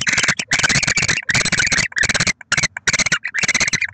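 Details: Barn owl pair at their nest with six eggs in Oceanside, California, on 23 December 2023; harsh, breathy hissing bursts of broadband noise, each under a second, repeated with short silent gaps.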